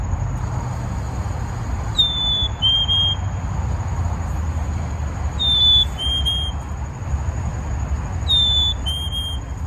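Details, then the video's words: A Black-capped Chickadee, a bird native to the area, whistles a clear two-note fee-bee, high then slightly lower, three times about every three seconds; chickadee calls help them warn each other of nearby predators. A low rumble and thin electronic whine run underneath. "So chickadees' calls are really important for them to communicate with each other about when there's a predator nearby."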